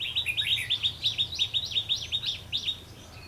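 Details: Red-whiskered bulbul during a bird-trapping session on a rainy, windy day, 19 March 2016: a fast run of sharp, high, down-slurred chirps, about three a second, fairly even, with low rumbling noise beneath.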